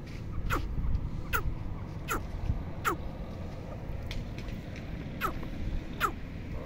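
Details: Red partridge female, locally called dakhni teetar, sounding a series of seven crisp descending calls at even intervals of under a second, with constant low droning noise beneath.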